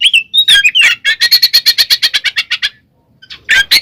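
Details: Oriental magpie-robin singing 'ngeplong ngekek' fighting song meant to make rival birds agitated: slurred whistles lead into a long, rapid, buzzy chattering rattle of roughly sixteen pulses, a short pause, then more harsh notes.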